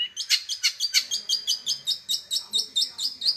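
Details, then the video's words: Long-tailed shrike in vigorous song, repeating a buzzy, high chirping note about four times a second. "Burung cendet master gacor"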